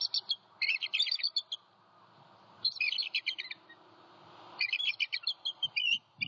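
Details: Bald eagle, the male M15 at a Southwest Florida nest at night on 13 January 2021, calling with incubating mate Harriet after an owl knocked him from his perch: three bouts of high, rapid chittering, each about a second, over quiet.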